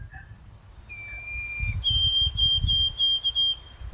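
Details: White-throated Sparrow long call: a pure, steady whistle, then a higher note broken into quick repeated triplets; low rumble beneath.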